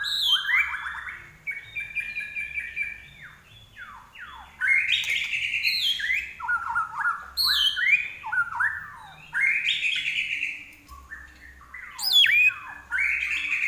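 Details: Lively, sustained song of a common iora (larwo): clear whistled phrases that slide down and up, broken by brief pauses, with sharp high flourishes and repeated chirps on a quiet background.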